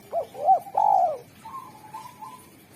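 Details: Spotted dove with a sharp, clear, melodious voice, used to call wild doves: three quick rising-falling coos, the last longest, then a softer, flatter, drawn-out coo.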